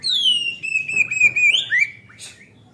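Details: Oriental magpie-robin singing nonstop as a lure for untrained young birds: a loud sustained whistle falling then level, finishing with an upward twist and descending slur, followed by a brief high chip.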